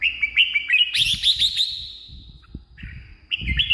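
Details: Red-whiskered bulbul song from Thailand, played as a decoy for wild birds or to excite caged birds: bright, quick whistled phrases with chattering notes, a short pause near the middle, then the whistling resumes over a low rumbling background.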